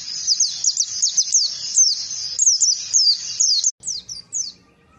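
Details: Oriental white-eye song offered as a lure for other birds to learn ngalas: fast, high, descending whistles in a running stream that stops abruptly, followed by a few isolated falling notes.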